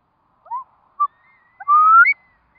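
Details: Curlew in Curlew Country, where four chicks have hatched: a few short whistled notes lead into a long, clear whistle that rises steadily and ends in a higher flick. No background noise.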